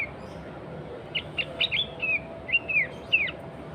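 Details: Sooty-headed bulbul, a lively singing bird used as a lure for other bulbuls: a series of short whistled notes around mid-high pitch, some slurred downward, spaced irregularly over about two seconds, with a steady low hum behind.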